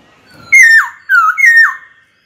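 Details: White-cheeked laughingthrush in a cage, singing to challenge a rival: three loud whistles in under two seconds, each sliding down steeply from a high start.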